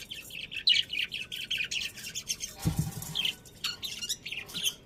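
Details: Several budgies chatter in a rapid run of buzzy chirps. A brief low thump comes midway, then more spaced chirps follow.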